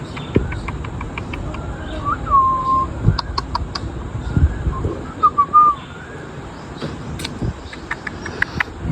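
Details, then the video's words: A pet parrot, tagged as an Indian ringneck, gives short, bent whistles and sharp clicks in two brief bursts over steady room noise, with a person speaking softly nearby. "Parrot Voice"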